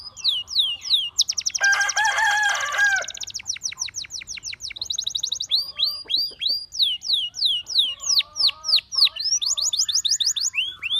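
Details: Canary calling other canaries to sing: varied song with a harsh, buzzy rattling section, then quick trills and repeated curved whistles, some lower warbled notes alongside.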